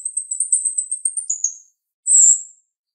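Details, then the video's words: Female jalak rio-rio starling, sharp voiced: a very high, rapid pulsed trill drops to a lower slurred note, then a brief pause and one strong, bright burst. "Jalak RIo Rio Betina suara tajam"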